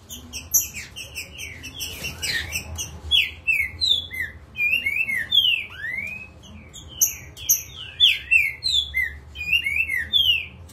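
Green-winged saltator singing agitatedly in a rapid run of loud, clear whistled phrases, with sharp rising and falling slurs packed closely together.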